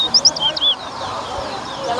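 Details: Chestnut-bellied seed finch (towa towa) in a bird whistling competition at Better Hope, Guyana: a brief run of clear, high whistled notes, two quick upslurred chips, then longer slurred whistles, over a steady background murmur of people.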